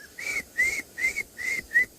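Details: Pearl-spotted owlet (Glaucidium perlatum) calling in the distance: five clear, high, evenly spaced whistled notes, about three a second, level to slightly rising, with faint hiss. Recorded on a hot afternoon, 17 November 2020, by a dam in a South African private game reserve.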